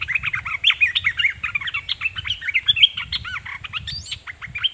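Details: Red-whiskered bulbul used as a decoy bird, singing at wild birds: a dense, lively run of bright chirps and warbled, rising and falling whistles, with soft low rustling beneath.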